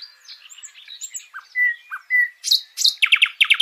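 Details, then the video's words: A live nightingale sings a quick, varied phrase of scattered high chirps and clear whistled notes, then a fast run of harsh, rattling repeated notes. "Dengê bilbilan - Nightingale sound - Bülbül sesi"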